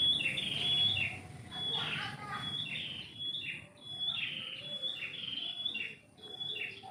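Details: Morning birdsong from a tree in a home yard: bright whistled phrases repeated about every second, each a short slurred downward flourish over a steady high thin tone, with low background rumble.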